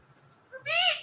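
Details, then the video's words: A talking parrot, one of a pair, gives a brief soft syllable followed by a drawn-out, bright, speech-like sound that swells and then fades. The background is otherwise quiet. "BEST "TALKING" "PARROT" COUPLE EVER"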